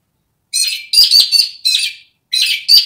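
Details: Australian magpie, wild in Australia, giving a series of raspy, buzzy bursts with brief whistled accents, grouped in twos and threes with short silent gaps between groups.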